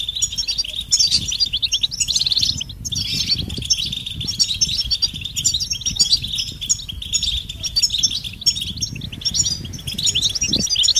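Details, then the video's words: European goldfinch mating and readiness calls, played to stir silent males into singing: dense, fast twittering chatter of high, bright notes, nearly unbroken with short pauses near the third second, over a low background rumble. "بتبتة الحسون علاج سكوت الحسون نذاءات التزاوج والتجهيز"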